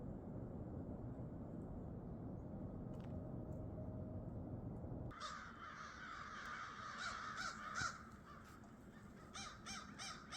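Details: Crows calling on a mild, foggy winter morning, starting late; from about five seconds a series of hoarse caws with rising then falling inflection repeats quickly over steady low rumbling background noise.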